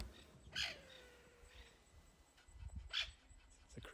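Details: Crested Francolins at Ulusaba, in freshly greened bush after rain, give two harsh, rasping alarm bursts a couple of seconds apart, crest erected; such calls may indicate a passing predator or bird of prey.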